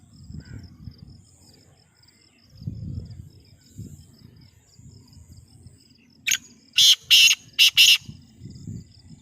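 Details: Newly kept Sindhi black francolin in captivity calls near the end: a quick scratchy lead-in followed by three loud, harsh rasping notes in a tight rhythm, after several seconds of low rumbling background noise.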